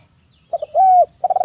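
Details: {'text': 'Spotted dove (tekukur) giving brief coo fragments: two short soft notes, then one sustained even coo, then the start of a rapid pulsing run of notes.'}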